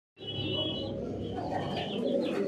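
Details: Racing homer pigeons at a large pigeon farm in Thoothukudi, Tamil Nadu: a dense, low murmur of overlapping coos, with a few higher chirps and some rustling.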